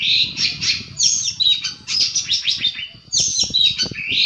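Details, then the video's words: Long-tailed shrike master recording, played to make stressed shrikes answer and get agitated: dense run of harsh, scratchy high chattering notes in bursts, with brief whistled squeaks mixed in, a low rumble underneath. "cendet stres pun akan nyaut dan emosi. dengar suara masteran ini."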